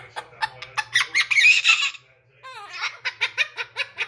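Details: Blue-crowned conure giving an imitated laugh: rapid clipped notes, a brief harsh raspy stretch, a pause, then a fresh series of evenly spaced high chuckles.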